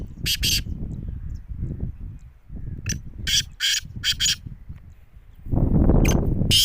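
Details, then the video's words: Kala teetar, the black francolin, calling in a brief jungle-call test: rough, scratchy bursts in uneven groups, with low background rumble that swells loudly near the end. "Kala Teetar Jungle ki bulai"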